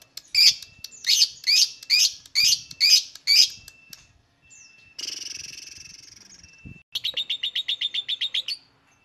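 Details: Lovebird calls used to lure other lovebirds into calling: a run of seven loud, harsh, high chattering bursts, then a hissing rasp, then a fast even stuttering series of sharp notes.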